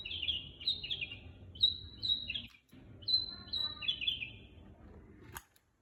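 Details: Long-tailed shrike song used as a lure: high, clear whistled notes sliding downward, given mostly in pairs, some ending in short trills, over a low steady rumble, with a sharp click near the end.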